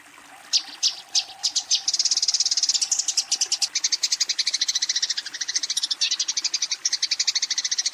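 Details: Eurasian tree sparrow calling a rival while fighting; a few spaced, sharp chirps lead into an unbroken, fast, high-pitched chattering run that lasts to the end.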